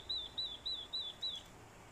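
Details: Orange-headed thrush, from a recording pairing a decoy male's fighting song with a female's calls: five short, clear downslurred whistles repeated about three times per second.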